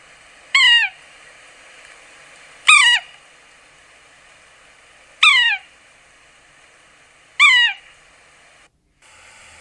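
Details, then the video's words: A Yellow-bellied Sapsucker gives four nasal, cat-like, downslurred mewing calls, each brief and spaced about two seconds apart, over a quiet background. "Yellow-bellied Sapsucker Call and Sounds"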